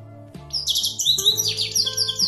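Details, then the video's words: Goldfinch singing a fast, high, tinkling twitter of buzzy and liquid notes that runs on without a break. Low, steady humming tones continue underneath. "щегол поет"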